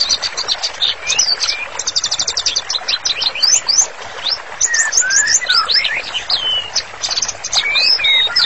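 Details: Vigorously singing white-rumped shama, a master song for therapy training: dense, rich song that opens with rapid high repeated chirps and a fast even trill, then shifts to lower fluid whistled slurs mixed with bright high notes.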